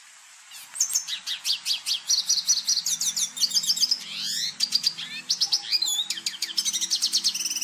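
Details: Red siskin (Spinus cucullatus), called cardenalito in Venezuela, singing a rapid twittering song: dense high chirps and trills, short buzzy sweeps near the middle, notes repeated in quick bursts, over a faint low patterned hum.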